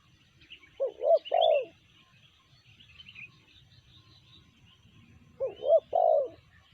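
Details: Spotted dove, called tekukur locally, BL type: two phrases of three-note cooing, a short coo, a rising hooked coo and a long drawn coo, around 1 and 6 seconds, with faint high chirps of other birds behind.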